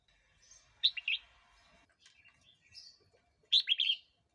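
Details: Red-whiskered bulbul singing, a recording meant to lure wild birds or teach young ones: two lively warbled bursts of quick bright notes separated by softer twittering, with a faint background hum.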